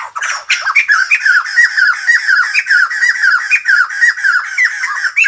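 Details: ['White-crested laughingthrush, singing and dancing, gives a rapid, continuous run of squawky chattering notes, several per second, steady and raucous from start to finish.']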